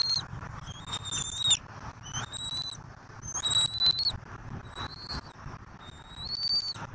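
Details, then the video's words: Feeding time at a Southwest Florida bald eagle nest, 15 March 2024, with turtles brought by the adults. Five shrill whistled calls, each slightly rising then held, spaced about a second apart, with light rustling. "Southwest Florida Eagle - Bieliki - Mama E23 z Żółwiem i tata M15 z Żółwiem - Karmienie E 23"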